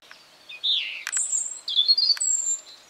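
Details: Spring song of a European robin in a garden, one brief phrase of thin descending warble, a high sustained whistle and a few quick sliding notes, sweet and high-pitched.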